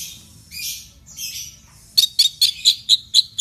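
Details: Orange-headed thrush sound used to get a bird singing: two harsh raspy bursts, then a steady series of short sharp notes repeated about twice per second.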